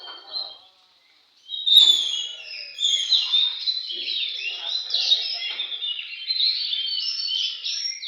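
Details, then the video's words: Oriental magpie-robin singing at a bird singing contest: a brief pause, then loud, varied, fast whistled and chattering phrases, high-pitched, sweeping up and down continuously, with faint lower chatter beneath. "kontes burung Kacer"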